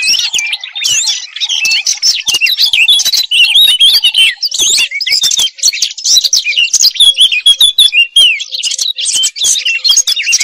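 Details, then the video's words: A European robin pours out continuous high, sweet warbles and quick trills, the phrases rising and falling in rapid succession with hardly a pause. "أجمل تغريد لطائر الدخل"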